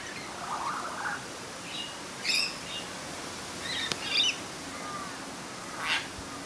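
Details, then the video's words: Satin bowerbird in Merewether Heights, NSW, Australia, giving a scratchy, broken song: a low warble, then short buzzy, crackling bursts every second or two, over soft outdoor background hiss. "Satin Bowerbird Singing"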